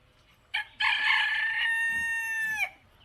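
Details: Rooster gives a full crow: a clipped opening note, then a long bright sustained tone with a slight lift near the end before a sharp downward tail. A soft background hiss and low murmur run underneath.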